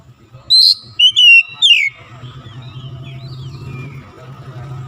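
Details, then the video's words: Oriental magpie-robin lure song: a brief run of sharp whistled notes in the first two seconds, then only faint, soft warbling over a steady low hum. "TEMBAK SUARA KACER LANGSUNG GACOR"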